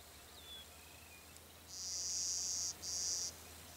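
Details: Male Clay-colored Sparrow singing at Glacial Ridge NWR, Minnesota, on 18 May 2010: two flat, dry, insect-like buzzes, the first about a second long and the second shorter, after a faint thin whistle, against a quiet background.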